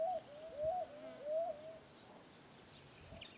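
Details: A little white dove singing: a series of short, soft, arched cooing notes repeated rapidly, about three per second, then fading, with faint rustling background noise.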